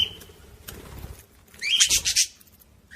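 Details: Budgerigar sound for stimulating other budgies: a quiet start with a faint whistle, then one loud half-second burst of squeaky, chattering notes.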